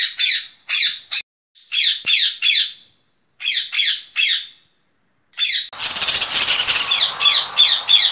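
Rose-ringed parakeet giving shrill, harsh squawks in quick bursts of two or three, about three a second. Near the end a loud rustling noise covers the calls.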